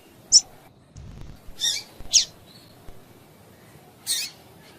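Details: Female double-collared seedeater calls for prompting males to sing: a thin high note, then scratchy buzzy chirps at uneven spacing, roughly half a minute's rate of thirty, with quiet background.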